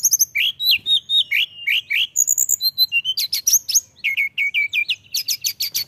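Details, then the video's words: Mountain tailorbird singing hard: repeated downslurred whistles in a steady series, then very high thin notes and bursts of rapid sharp chips, loud and continuous throughout. "tledekan gunung gacor"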